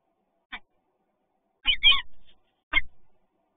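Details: Peregrine falcon in Toruń, recorded 28 February 2022 during a meeting. Three short harsh calls with a rough buzzy middle one, spread over about two and a half seconds, each with dull low thumps beneath.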